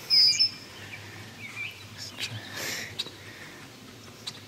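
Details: A female red-winged blackbird dive-bombing a person and cat in a yard near her nest gives one sharp, high, thin note, then a few faint scattered chips over soft background rustle.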